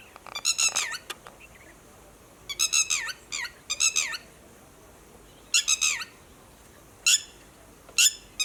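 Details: Red-wattled lapwing calling in alarm to warn its companions about human movements, giving repeated strident, down-curving cries in clusters of two to five, separated by short pauses, with isolated sharp notes toward the end.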